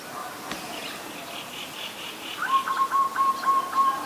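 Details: Adult zebra dove recorded at Ubon Ratchathani, Thailand, on 28 December 2020, giving a rapid staccato cooing trill of evenly repeated soft notes in the second half, over high chirps from other small birds.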